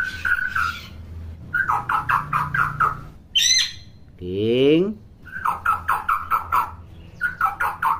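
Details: Chatty, talkative hill myna giving bursts of harsh repeated squawks in quick rows, a short high whistle, then a loud rising nasal call, followed by more rapid squawk series.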